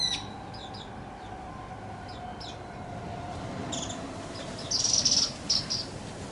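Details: Japanese white-eye on 26 February 2024 calls excitedly after a fierce fight; the owner suspects it challenged a paired male and lost. It gives thin, high chirps, scattered then a sharp burst, over low hum and rumbling noise.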